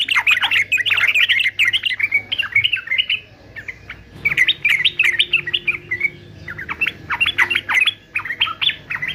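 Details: Fighter male yellow-vented bulbul used in singing training: repeated bursts of fast, lively warbling separated by short gaps, notes bright and chattering.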